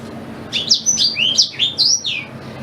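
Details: Black-throated canary singing, used as tutor song for a white-rumped shama: rapid, high slurred notes, some rising and some falling, delivered in an unbroken chattering phrase over a faint low hum.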